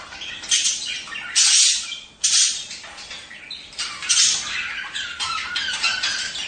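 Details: Budgerigars calling to prompt breeding: loud grating squawks in uneven bursts about once a second, separated by short silent breaks, with fainter warbled chatter between.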